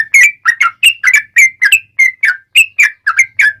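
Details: Yellow-vented bulbul lure song, meant to make other bulbuls call back: a quick, steady string of about fourteen bubbly, slurred whistles, each note sharp-edged and bright.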